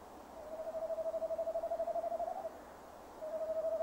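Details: Male tawny owl calling at a nest box at 17:10 on 15 December 2015 while waiting for the female, giving a low, quavering trill of rapid pulses lasting about two seconds, then starting another after a short pause.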